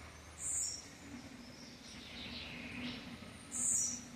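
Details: Campainha-style song of a blue-black grassquit: two sharp, very high buzzy notes about three seconds apart. Faint softer chirps sit between them, with a low hum underneath.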